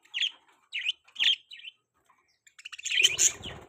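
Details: Four clean, bright budgie chirps come about a third of a second apart, then a dense burst of harsh, scratchy chatter.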